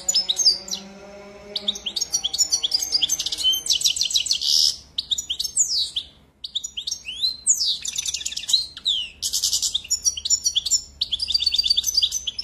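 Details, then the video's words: A European goldfinch delivers long bursts of lively, liquid twittering mixed with buzzy trills and sharp chips. A low, steady hum sounds faintly underneath at the start. "Très beau Chant"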